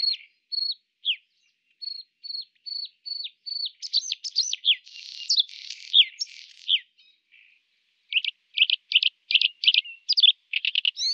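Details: Bluethroat (Luscinia svecica) recorded in Moscow and Ryazan region, Russia: male song of short repeated high notes, then varied buzzy, scratchy phrases with rapid trills, and a female alarm call.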